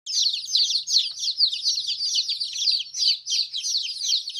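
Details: Baby chicks chirping: a dense chorus of high, overlapping peeps, each a short downward-sliding note, running continuously with rapid uneven pulses and no other clear sounds.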